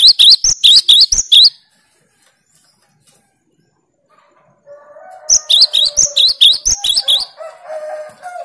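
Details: Sharp, repeated high notes in two rapid runs from a cinereous tit performing the 'tembakan' song that trains it against rivals. A soft, low buzzing sound underlies the second run.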